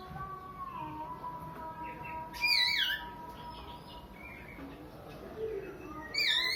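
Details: Oriental magpie-robin calling in a way said to resemble a crying child: a loud, harsh, falling wail midway, then another starting at the end, with a steady faint tone and quiet hum underneath.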